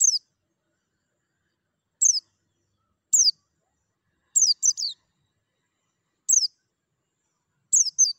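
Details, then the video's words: White-eye, meant to stimulate captive birds to sing: a loose series of high, brief descending chirps, mostly single, with some doubled, spaced one to two seconds apart over eight seconds, in a quiet background. "TERAPI PLECI MERANGSANG BUNYI CEPAT GACOR BUKA PARUH"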